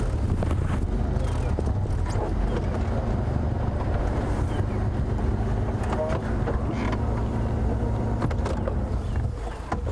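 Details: Steady low engine rumble of a moving vehicle with wind buffeting the microphone and faint speech underneath, and no animal voices.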